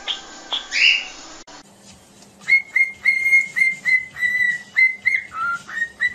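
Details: Cockatiel song for teaching a bird to sing: after a noisy start, a steady series of clear level whistles comes about four per second, one dipping lower near the end, over a faint low hum.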